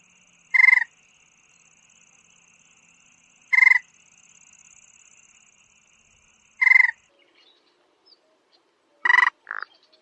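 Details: Rapid stuttered tapping bursts from a sparrow-sized rail of grassy meadows and wetlands repeat roughly every three seconds over a faint steady hum. The last burst is followed by a short buzzy grunt.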